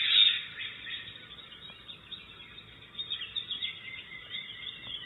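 A young Great Horned Owl gives a long, harsh, hissing screech that rasps on steadily with slight swells, a hunger call. No other sounds stand out.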